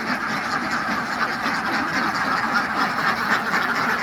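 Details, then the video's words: Farm ducks quacking together, a thick chorus of overlapping rough, nasal quacks pulsing unevenly about once a second over constant background noise. "Relaxing Duck Sounds: Quacking, Splashing & Nature Ambience"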